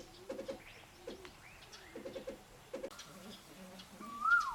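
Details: Captive Mrs. Hume's pheasant of subspecies burmani at a Chiang Mai breeding center in Thailand gives clusters of quick, low, stuttered notes in groups of three or four, with quiet gaps and a brief whistled slur at the end.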